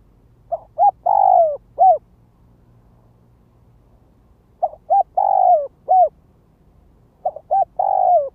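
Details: Spotted dove kept as a ground decoy, calling to draw in and excite wild doves: three cooing phrases about three seconds apart, each of two short coos, a long downward-sliding rolling coo and a last short coo.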